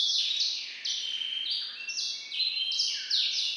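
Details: Hybrid bird bred from a white-rumped seedeater, kept in captivity, delivering song variant IV: continuous high rolling trills broken into stepped segments, each about half a second, with a few descending slurs.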